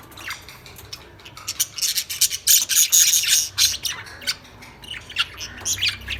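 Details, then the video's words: Lovebirds singing in a dense burst of shrill, high-pitched chirps and squeaks, rapid and irregular, several notes crowding together in the middle then thinning into separate sharp chips. "Lovebirds Sound | Lovebirds singing | chirping Sound"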